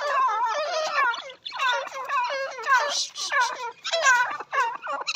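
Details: Grey francolin (teetar) calling in a hunting-call recording: harsh, strongly harmonic notes given in quick bursts of three to five, with short pauses between the bursts. The burst rhythm is uneven, and the notes sound slightly hollow, as if recorded indoors.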